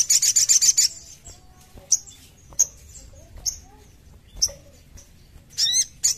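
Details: Crimson sunbird (sogon) song played as therapy to make caged birds sing: a fast burst of very high, thin buzzy trills, then scattered sharp high chips with short pauses between.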